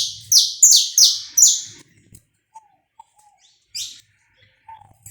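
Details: Saffron finch song, recorded live without cuts, played to warm up a bird: four loud, high, buzzy notes sliding downward in quick succession, then near silence with faint soft whistles, a low hum and a last brief buzzy note.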